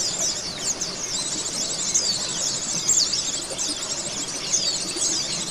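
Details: High-pitched twittering of oriental white-eyes used as song therapy for kept birds: rapid thin chirps and short slurred whistles pour out without a break, many voices layered into a busy shimmering chorus.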